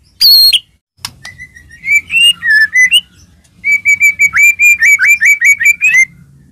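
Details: White-rumped shama song for provoking other shamas into singing: one loud shrill whistle, a short pause, then a warbled phrase and a long run of quick repeated whistled notes.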